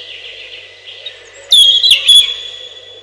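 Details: Robin song: a faint warble, then a loud clear whistled note held steady, broken by quick chirps and a short trill, fading into a thin sustained tone.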